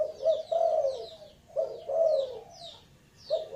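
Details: Spotted dove giving low, mellow coos: three hoarse, slightly falling phrases about one per second-and-a-half, with a thin high chirping from another small bird in the background.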